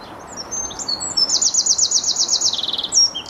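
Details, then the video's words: At Bedhampton Railway Station, a songbird sings a bright, very high rapid trill of evenly repeated notes, framed by thin whistled notes, with faint low background rumble. "A Few Song Birds and Garden Birds at Bedhampton Railway Station"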